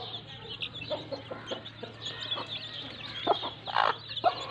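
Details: A mother hen plays in mud with her chicks. Soft clucks are scattered through the recording and grow louder near the end, layered over continuous high-pitched peeping from the chicks and a low background hum.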